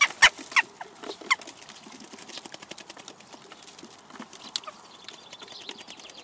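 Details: Western jackdaws in Recke, Germany, in May, give a few loud, sharp 'chak' calls near the start, followed by softer, quicker chatter from the group.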